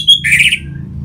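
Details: Orange-headed thrush, a caged bird, used as a lure to stir other caged birds to sing: one brief sharp note, then a short buzzy burst that fades. A low steady hum runs underneath.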